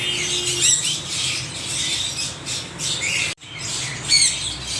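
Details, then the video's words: Loud chorus of parrots: harsh, high screeches and rising squawks layered over one another, a brief cut near the end, then the grating calls resume just as intensely. "Extreme noise of parrots"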